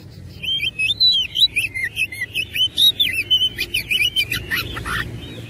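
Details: Kacer, the oriental magpie-robin, in an aggressive fighting-mood song full of rich fill notes: a steady stream of quick, wavering whistled slurs and tweets, pulsing several times a second with barely a break.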